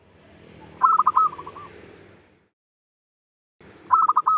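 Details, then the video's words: Zebra dove, a local bird, singing a lure call meant to draw in other zebra doves. A fast burst of staccato cooing notes trails into softer notes, then a second phrase begins after a pause. "PANCINGAN SUARA PERKUTUT LOKAL GACOR PEMIKAT SEMUA JENIS PERKUTUT"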